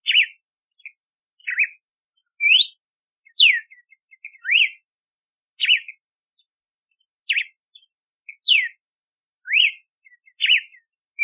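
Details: Red-cowled cardinal singing a long, varied sequence of loud clear whistles: down-slurred wavering notes, quick upward sweeps and steep descending whistles, with quiet chips between phrases.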